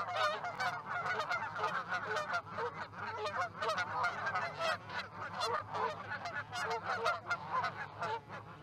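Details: A large flock of geese landing in a field near Charlo, Montana, 1 February 2018 at 9:40 am; continuous dense babble of honks from many birds, no pauses, over a constant low mechanical hum.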